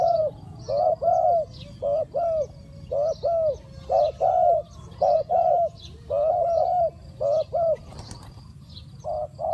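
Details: Decoy spotted dove cooing to call in wild doves, a steady rhythm of mellow paired notes about once a second, a brief sharp click near the end and faint high chirps behind.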